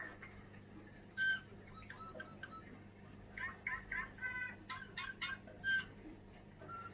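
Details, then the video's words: Tame caged Eurasian bullfinch, to be released in spring, singing a quiet, halting string of soft piping whistles and creaky, scratchy notes over a low steady hum. "Пение снегиря"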